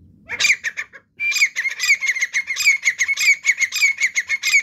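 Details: A partridge (teetar) bursts into a rapid, continuous run of harsh, squawky whistled notes, several per second, after a brief pause near the start. The calling is loud and close.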